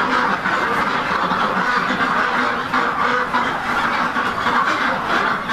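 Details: Purebred Rouen duck breeder flock on a hatchery farm, many birds calling at once in a continuous, raspy wall of quacks with no quiet gaps.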